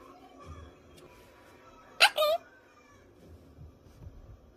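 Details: Pet monk parakeet indoors during training, mimicking the word "peekaboo": one loud, harsh two-part utterance with a buzzy rising then falling voice, surrounded by quiet room sounds and faint low murmurs.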